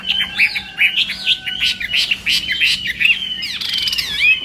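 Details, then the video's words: Chinese hwamei contest song during morning training: bouncy whistled notes and rolling phrases, ending with sweeping high slurs; a faint steady low hum sits underneath. "Hoạ Mi Hót Đấu /hoạ mi hót sáng luyện giọng"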